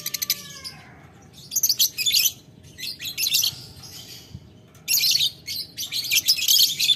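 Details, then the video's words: Lovebird calling a rival in the ngetik ngekek manner, answered by another lovebird. A faint lower whistle opens, then long shrill chattering runs alternate with quieter pauses. "Lovebird Memanggil Lawan Ngetik Ngekek - Tidak Lama Labet Auto Nyaut Ngetik Ngekek Panjang"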